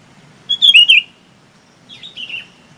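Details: Flock-gathering call of a Chinese babax: one loud, twisting whistled phrase that falls in pitch, followed by a quieter, similar phrase, with a low murmur of background noise.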